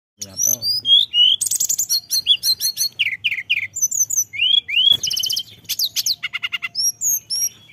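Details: Tledekan gunung song used as a lure recording, rich in varied phrases: rapid high whistled slurs, rising and falling notes, dense chirping trills and buzzy bursts following one another almost without pause over about eight seconds.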